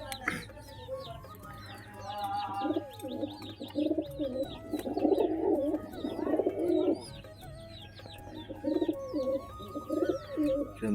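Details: Kept pigeons coo in low, rolling bursts several times over about eleven seconds. Many high, quick chirps from small birds sound above them.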